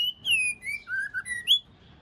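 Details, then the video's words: A female white-rumped shama, used to provoke males into singing, gives a short series of clear whistled notes sliding high, dropping lower, then rising again, over a faint low rumble. "chòe lửa mái kích trống siêu nhạy"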